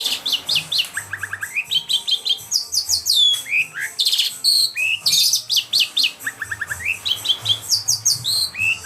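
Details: Long-tailed shrike, a kept bird, singing energetically after a morning bath while drying off: a varied, nonstop stream of sharp chirps, slurred whistles and quick repeated notes, some rising and some falling, with a faint low hum beneath.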